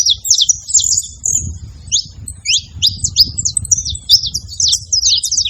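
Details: A group of saffron finches noisy at a feeding spot: high, clipped chirps and short downslurred notes, first in a quick run, then spaced, then crowding again, over a low murmur of background noise.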